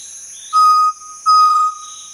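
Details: Chestnut-necklaced partridge giving two clear, steady whistled notes of even pitch, each about half a second long, separated by a short pause, over a constant high insect drone.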